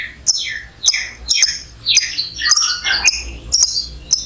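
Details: Lovebird uttering rapid, sharp, high chirps about twice a second, each a harsh downward-sliding burst, in an irregular chattering series.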